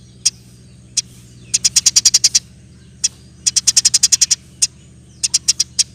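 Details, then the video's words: Persistent Eurasian tree sparrow in roll tembak style, a tutor for other cage songbirds: isolated sharp chirps alternating with short quick runs of eight to ten high notes, with a low droning hum beneath. "Burung gereja gacor. Roll tembak pas untuk masteran"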